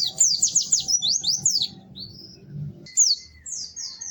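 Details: High, quick down-slurred tweets from a lively, melodious white-eye, then thin drawn-out whistled notes and a few more chirps, over a soft low background hum.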